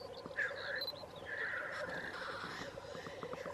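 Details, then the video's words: Black grouse near Wrexham: a steady, low bubbling murmur runs throughout, with brief higher drawn-out notes rising above it. "Black Grouse"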